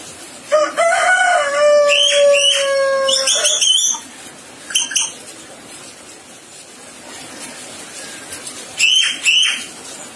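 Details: Sulawesi myna with a long, sustained nasal whistle of many stacked tones held steady for over two seconds, then short ringing notes, a pause, and a closing pair of sharp rising calls.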